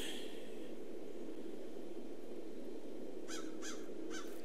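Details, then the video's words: Crows mobbing a raptor on Clark Hall on the morning of 16 February 2014 give three harsh, rasping caws in quick succession near the end, over a steady low rumble of wind or traffic. "You're hearing the crows in the background."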